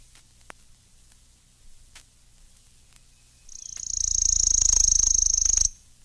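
Worm-eating Warbler song: a dry, flat, insect-like trill of rapid high chips, held steady for about two seconds after a quiet start.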